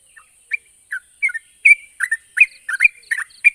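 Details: Yellow-vented bulbul, known as trucuk, singing to coax silent birds into answering. Soft scattered notes build into denser, louder bubbly phrases of slurred chirps, with a steady faint high hiss behind.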